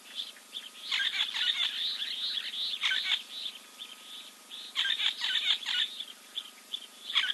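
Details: Giant kingfisher preening beside a South African waterhole in Timbavati Game Reserve; dense, scratchy rattling calls run almost continuously, briefly easing midway before resuming.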